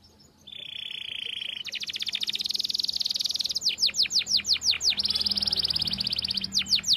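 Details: Canary walnut-style song for training young canaries: a steady whistled tone, then fast buzzy rattling trills, a series of sweeping rising-and-falling notes, another rapid trill, and more sweeps at the end.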